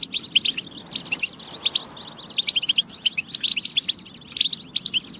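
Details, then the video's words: European goldfinch song, used to stimulate goldfinches to sing: fast, bright twittering of short high chirps and trills in quick bursts, with barely a pause across the few seconds. "بتبة فتاكة لتحفيز الحسون على التغريد والجهوزية"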